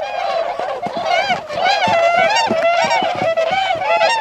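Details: A flock of wintering tundra swans at a retention pond in Azumino, Nagano, Japan, in February 2013, leaving to forage in rice fields. Dense, overlapping, clear bugle-like honks with rising and falling inflections sound nonstop.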